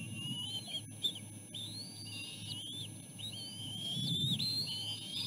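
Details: Bald eagle nestlings, three siblings, scramble for food delivered by their mother at the nest. Piercing, wavering whistles come in overlapping, slurred bursts, some rising and falling, nearly continuous over a faint low hum.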